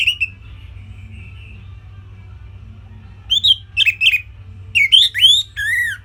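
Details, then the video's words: Orange-headed thrush kept as a songbird in northern Bali, recorded for song training; a sustained whistle, a pause, then varied slurred whistles and squeaky notes ending in a descending whistle. "Kicauan Simpel ANIS MERAH Gampang Untuk Ditiru Sebagai Masteran"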